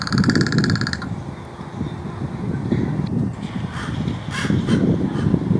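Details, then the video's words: Crow making clicking and rattling sounds in August 2021: a quick burst of fast clicks that opens the recording and stops after about a second, followed by constant low rumbling noise and faint scattered sounds. "Crow Making Clicking & Rattling Sounds"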